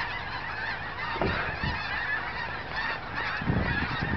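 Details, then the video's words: Migrating geese in huge numbers over an old cemetery near Crestline, Kansas, on 14 January 2011, a thick mass of overlapping honks, with occasional louder individual calls and brief wind gusts. "Mass Geese Migration"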